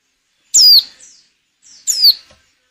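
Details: Two high, thin, descending calls from a breeding female white-eye used to get males singing for luring, the second preceded by a quiet lead-in note.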